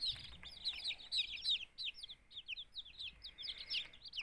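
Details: Incubator-hatched chicken chicks, two days old and kept with quail chicks, peep steadily in high, slurred, downward notes, several birds calling at once throughout.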